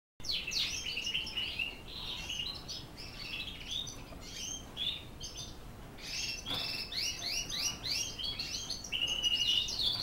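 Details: Border Fancy canary from Holland singing a long, fast, varied warble of rolling trills, chirps and clear whistled notes, with a sustained bright trill near the end, delivered almost without pause.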